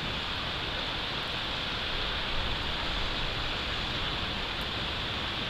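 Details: Continuous hiss like rain or distant traffic, with no animal calls.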